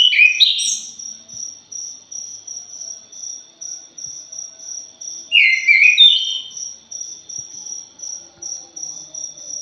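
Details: A thrush gives an opening burst of harsh, high chattering and, after a pause, a second scratchy warbled phrase. Constant, evenly pulsed shrill insect calls fill the gaps.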